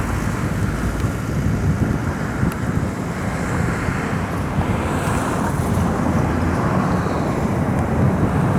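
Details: Steady, loud wind rumble and broadband roar, like engine or surf noise, fill the whole recording with no clear animal call.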